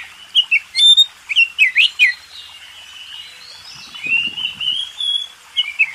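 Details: Master song of a champion contest Oriental magpie-robin: bright whistled slurs and sharp notes early on, then a quieter drawn-out warbling stretch and a few final whistles.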